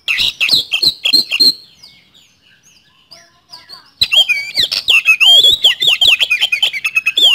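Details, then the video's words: White-rumped shama in full song, a rapid burst of sharp whistled notes, a short pause, then a loud varied run of rising and falling whistles and rattling chips, notes repeated about three per second. "Pancingan Kacer Gacor Nembak Speed Roll"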